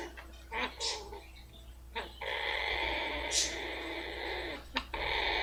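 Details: Blue-fronted amazon kept as a pet, purring with pleasure as she is rubbed: a few short noisy notes, then a long continuous buzzing purr broken by a quick snort.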